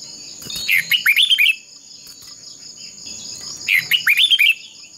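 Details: Contest-style singing by a decoy red-whiskered bulbul, used to stimulate and train other birds. Two loud phrases of bouncing, slurred whistles arrive about three seconds apart, with a faint steady high hum in the background.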